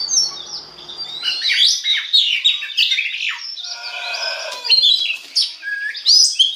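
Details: Oriental magpie-robin song used as a lure to stimulate other magpie-robins to sing; varied rich phrases of whistles, rising and falling notes and harsher buzzy elements, delivered continuously with brief pauses.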